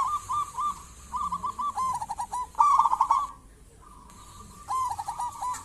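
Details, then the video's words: Actively singing local zebra dove, played as a lure for other zebra doves: repeated rolling cooed phrases of quick stuttering notes, one short pause midway, then the song resumes. "Perkutut lokal gacor cocok buat pancingan burung perkutut"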